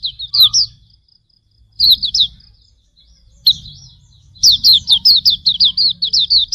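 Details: Hume's white-eye (auriventer) song for tutoring caged birds: scattered short twitter phrases, then a sustained, fast series of high downslurred chirps, with faint low background noise.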